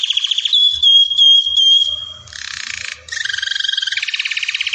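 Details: Belgian canary song opening with a long steady whistled note, followed by a lower buzzy rattle and a fast pulsing trill.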